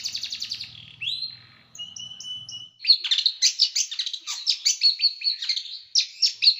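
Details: Small bird song described as sharp, dense and harsh rapid-fire bursts: a buzzy trill and rising whistle, brief high notes, then a fast series of clipped chattering notes repeated several times per second, with a low hum early on.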